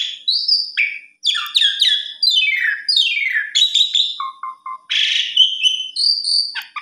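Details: Asian pied starling with a flowing, lilting song to trigger stalled birds: a rising whistle, a cascade of descending buzzy slurs, a few low short notes, then a grating burst and a clear drawn-out whistle.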